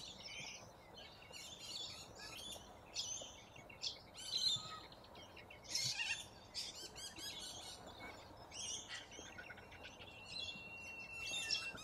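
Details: Corellas, a large flock feeding on root grass in Australia, give a continuous chorus of rasping, buzzy screeches and chirps, bursts clustering every second or two, some louder squawks standing out against steady outdoor noise.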